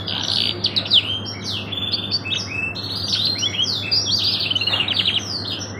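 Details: Caged canary in a long song used as a training master, sung in the luxurious cengkok style: rapid varied whistles, sweeping slurs and trills over a steady low hum.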